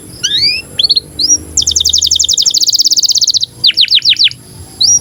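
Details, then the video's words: Canary in breeding condition, singing for training young birds: upward-sweeping whistles, a fast trill of about thirty rapid notes, then a series of falling slurred notes and a final rising whistle. "KENARI GACOR Cuit CUIT BIRAHI UNTUK PANCINGAN & MASTERAN Kenari PAUD AGAR BUNYI DAN NGEROL"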